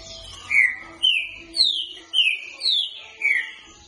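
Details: Green-winged saltator in boca mole singing for training, giving a steady run of six bright, downward-slurred whistles at roughly half-second intervals.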